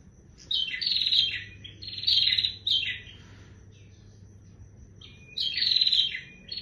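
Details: Energetic bar-winged prinia song of harsh, buzzing trilled bursts, each about half a second long, separated by short gaps and one longer silence, with a thin constant high tone behind.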